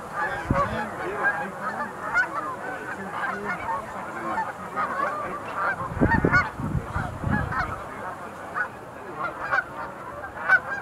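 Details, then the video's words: Sandhill cranes gathered at the Montezuma National Wildlife Refuge Visitor Center pool in November 2021 give a steady mass of rolling trumpeted calls; low thuds cluster around six to seven seconds. "Sandhill Cranes at Montezuma NWR, 2021-11"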